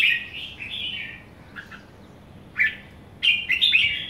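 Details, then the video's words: A young somersaulting red-whiskered bulbul, called kekek, warbles a sustained wavering whistle, then gives brief chirps after pauses and a closing rapid flurry of bright slurred notes. "Young somersault merbah jambul kekek"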